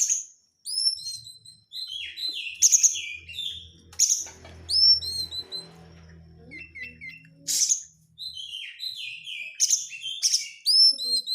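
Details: Lure song of an Oriental magpie-robin with dense crecetan chatter, used to set other birds singing: bright hooked whistles alternate with sharp scratchy bursts every second or two, plus a soft low rumble midway.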